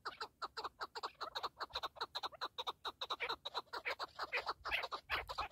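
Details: Partridge calling with a rapid, steady series of harsh, clucking notes, about five per second, each a short vertical burst spread across mid and high pitches, continuing without pause throughout.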